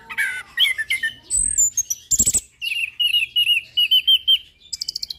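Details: Orange-headed thrush, known locally as anis kembang, with a settled song: a varied run of chirps, sharp upslurred whistles and trilled notes. A burst of fast repeated high phrases follows a brief rustling break.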